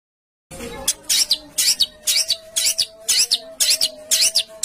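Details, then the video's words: Songbird in 'besetan kasar' style from a training recording for home-kept and contest birds: paired harsh, scratchy notes repeated about twice a second over a steady low background hum. "MASTERAN BESETAN KASAR|| Bringas Kasar suara BESETAN kasar"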